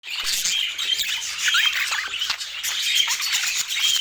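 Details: Budgerigars in dense, continuous chatter: overlapping high warbles, chirps and short squawks packed together, with brief whistled notes standing out every second or so and no pause throughout.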